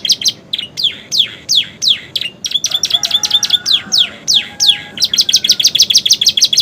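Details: Canary song carrying bar-winged prinia and sooty-headed tit imitations: clipped high chips and falling whistles, a rapid rattling trill through the middle, then more sweeping notes and a closing fast trill.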